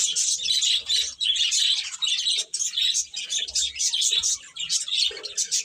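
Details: Young chicks giving rapid, shrill peeps in pulsing bursts, many birds calling at once in a busy, high-pitched chorus.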